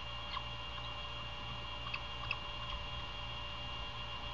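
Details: Early-morning recording holding only a steady electrical hum with a few faint ticks and clicks, with no calls heard.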